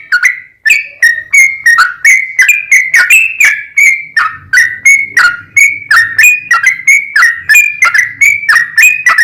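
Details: Yellow-vented bulbul in a nonstop 'ropel panjang' song, used as a lure so other bulbuls sing: quick, warbling whistled notes with sharp onsets tumbling over each other, a faint low rumble underneath at times.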